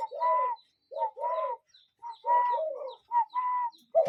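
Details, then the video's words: Real cuckoo heard in nature giving paired notes, a short hoot then a longer level whistled note, repeated four times in about four seconds against a quiet background. "Relaxing Cuckoo Bird Sound in Nature"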